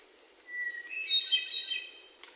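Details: Hermit thrush in Sudbury, Massachusetts, on 29 June 2023, sings one phrase: a long, pure whistled opening note, then a rising, ethereal flurry of fluty, echoing tones. Faint background hiss and a soft tap follow.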